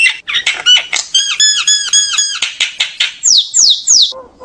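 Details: Common myna singing to call its flock: a rapid run of harsh clicks and chattering notes, then ringing stacked whistles repeated about twice a second, ending in three loud downslurred whistles and a low note.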